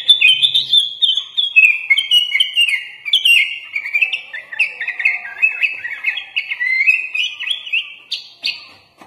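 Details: Sooty-headed bulbul on a "gacor" tutor recording, in a long, unbroken run of bright chirps and short warbled phrases, rising and falling in a lively stream without pause; the song is described as filled with imitated phrases, including Oriental magpie-robin (murai batu).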